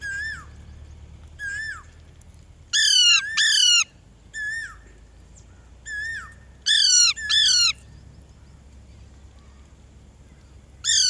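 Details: Parrot calling: loud, harsh squawks, some single and some in quick pairs, each sliding down in pitch, scattered irregularly about every one to two seconds, with quiet between.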